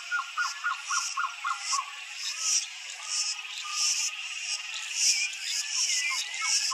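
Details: Blue-crowned trogon, known locally as surucuá-de-barriga-vermelha, singing a run of about six soft, evenly spaced low hooting notes in the first two seconds, then fainter notes. Dense, loud buzzing insects fill the background throughout.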